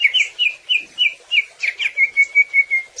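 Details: Greater green leafbird in full song, played to prompt birds to sing: a string of short whistled notes, then an even, rapid series of about six clear notes per second on one pitch.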